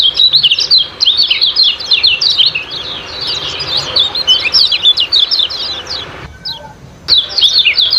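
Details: Kecial kuning (lemon-bellied white-eye) ciak-ciak chatter used to coax birds into song: hurried high squeaky chirps, softening midway, then a short pause before the twittering resumes.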